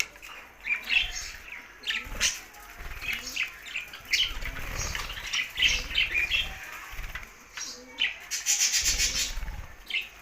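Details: Budgerigars singing happily, a busy run of short chirps and warbled notes that rise and fall, with thumping wing flaps and fluttering heard underneath.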